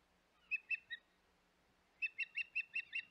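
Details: Osprey calling at the Hog Island nest, 25 May 2021: three bright, high chirps, a second of quiet, then six evenly spaced yelping chirps in a quick rhythm, heard at a fair distance.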